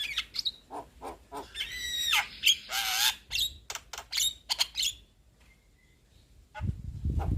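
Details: Young Javan myna (jalak kebo) in lively song: clicks, harsh rasping squawks and whistled strands, pausing briefly before a low rumbling noise at the end.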